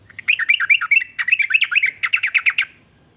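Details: Sooty-headed bulbul pouring out a quick, gurgling warble of looping notes, ending in a brisk run of evenly spaced chirps before falling silent.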